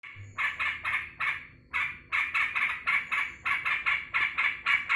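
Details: Caged sooty-headed bulbul greeting its keeper home from work, repeating short bubbly warbled phrases in quick bursts, each about a third of a second, with brief pauses between groups.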